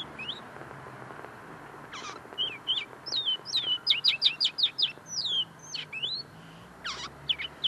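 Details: Common linnet sung from right beside its cage, a tame bird still finishing its notes: scattered chirps, then a fast sequence of bright twittered notes and swooping whistles, with a couple of broad clicks.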